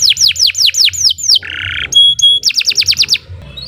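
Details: Canary master song for bird training: repeated descending whistled notes, a short buzzy burst, two steady pure tones, then another run of quick falling whistles, with low hum beneath.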